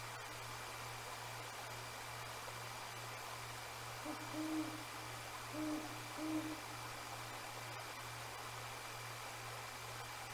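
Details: Night-time Great Horned Owl hooting near the Decorah North eagle nest in January, two birds calling back and forth out of sight; after long quiet, three faint deep hoots in quick succession midway, with steady hum and hiss throughout.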